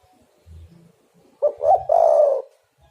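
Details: Spotted dove, an energetic singer whose call serves as a lure to trap birds. One soft low coo, then a louder rolling phrase of mellow, slightly hoarse coos, quiet low rumbles before it.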